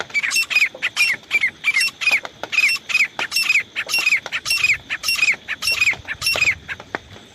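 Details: Hunting decoy grey francolin calling nonstop: loud, ringing, strident notes with a quick falling twist, delivered in a rapid, even series of about two per second, with a faint steady high whine behind.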